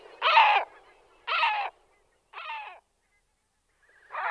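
Great black-backed gull giving four deep, hoarse, barking notes about a second apart, each rough and slightly falling, with nothing else heard.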